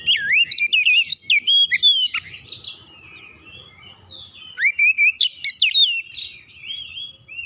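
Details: Oriental magpie-robin provoking song, used to make another magpie-robin sing: loud varied whistled phrases, rising slurs and quick chirps in rapid bursts, a short pause, then another energetic run of sharp notes.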